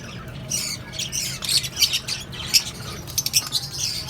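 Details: Lovebirds, cockatiels and budgerigars housed as a colony; short shrill squawks and squeaky chirps overlap in a lively jumble across four seconds, with faint low rumble behind.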